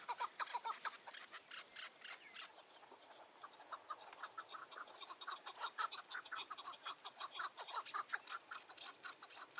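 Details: Chukar partridge on a mountain in June 2018 at dusk, near a trap with a decoy partridge. A rapid series of harsh, clucking notes repeats about twice a second, rising and fading in loudness, with some overlapping calls.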